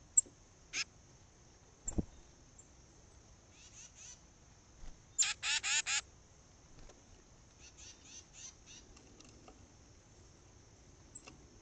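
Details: Tufted titmouse (Baeolophus bicolor) call: harsh, raspy notes, including a run of four quick scolding rasps, with a steady thin high whine in the background.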